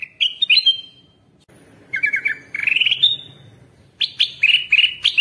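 A bulbul gives bright, chirpy whistled notes in quick bursts of two or three, rising and falling, separated by short pauses.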